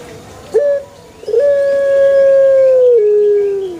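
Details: Pelung chicken crowing in a banana plantation: a short opening note, then one drawn-out, even crow lasting over two seconds that steps down and fades at the close.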